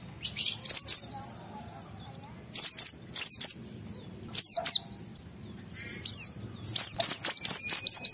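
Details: White-eye in high excitement, song intended to draw replies from other white-eyes: scattered bursts of shrill, slurred high notes, several quick runs with pauses, a faint lower whistle near the end.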